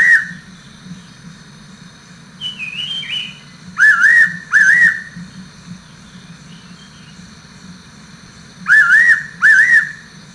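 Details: Fairy pitta giving its clear two-note whistled call: mid-pitched, wavering whistles in pairs, two pairs several seconds apart; a thinner warbling bird call sounds faintly early on, over a steady low hum and a constant high whine.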